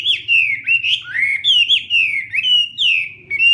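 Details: A Hwamei sings during morning voice training, loud liquid whistles gliding down and up in quick succession, a rich continuous phrase close to the listener.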